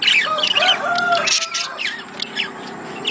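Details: Budgerigar mating sounds to encourage laying: loud mixed chirps and short whistled tones at first, fading to quieter scattered squeaky calls.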